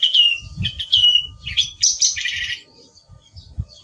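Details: Song thrush (Turdus philomelos) singing: a burst of varied, bright whistled and scratchy phrases in quick succession, some notes sliding downward, followed by a short pause and softer notes, with low thumping noise beneath.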